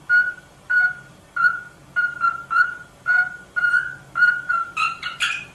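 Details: Rosella song: clear mid-pitched whistled notes repeated about every half second, steady and even, with a few rising, brighter notes added at the end.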